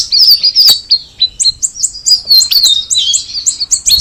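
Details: Song of the cucak rawis, or straw-headed bulbul: a chain of clear, high, downslurred whistles and sharp chirps repeated at a steady, lively pace.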